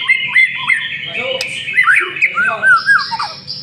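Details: White-rumped shama lure song of looping whistled slurs and twisting notes, mixed with a harsh squawky texture and a faint low voice.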